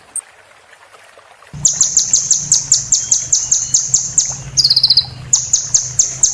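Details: Sunbird singing for caged-bird training: after a near-silent start, a steady series of sharp high chirps about three per second, broken by a quick rattling trill, over a low steady hum.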